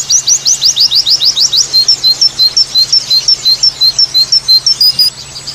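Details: White-eye delivering 'tembakan' variation song: a quick burst of rising sharp chirps, then evenly spaced thin whistled notes alternating between two pitches, about three per second, above a soft constant hum.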